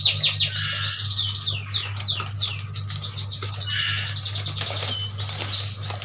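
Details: Yuhinas from Kalimantan, caged birds bought as a bunch, singing vigorously: dense, high, rapid twittering with quick downslurred chirps and buzzy trills, overlapping continuously over a steady low hum.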